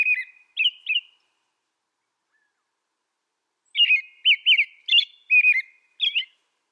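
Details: American robin song: a few opening whistled notes, a pause of about two and a half seconds, then a longer run of six caroling, rising-and-falling phrases, with no other sounds.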